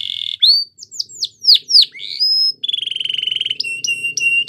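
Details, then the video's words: Belgian canary training song: looping whistled sweeps and a steady tone, then a long rapid trill of even notes followed by clipped repeated high notes. "Canary's Most Powerful Song For Training | Belgian Canary"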